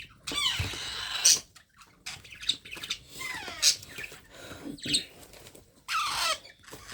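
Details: Young parrot during hand-feeding utters drawn-out harsh rasps, with squeaky notes sliding downward layered over them, repeated roughly every second or so at uneven intervals.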